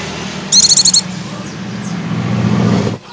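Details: An Oriental white-eye lure song, meant to prompt other white-eyes to sing continuously: a half-second burst of about eight rapid, very high, twittering notes, followed by a low background hum and rumble.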